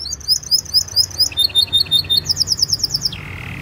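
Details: Canary lure song to coax young or silent canaries into singing: rapid high looping notes, clipped repeated chips in quick succession, then a lower sustained buzzing tour at the end.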